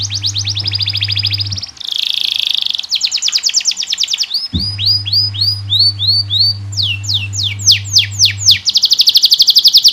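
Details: Canary in full, continuous song meant as a tutor and prompt for other canaries: dense high rattling trills alternating with sweeping whistled slurs and buzzy bursts, with a steady low hum in parts.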